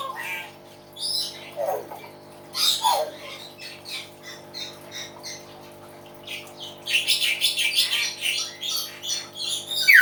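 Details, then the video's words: Common hill myna singing loudly, a chatty bird: a varied run of harsh squawks, short whistled notes and rasping bursts, with quiet gaps, ending in a dense stretch of rapid scratchy calls. "BEO GACOR SUARA ALAM"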